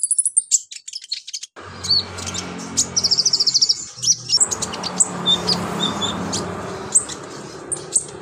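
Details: Brown-throated Sunbird (konin) singing energetically and showing off its mimicked phrases, a song used to tutor other birds: rapid high twittering, a fast trilled run and scattered sharp chips over a steady low hum.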